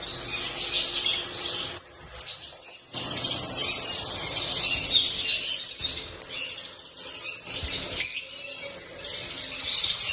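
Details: Male and female Lutino African lovebirds make happy sounds, dense, shrill high chirps and squeaks, several per second, overlapping in a continuous busy stream with brief pauses.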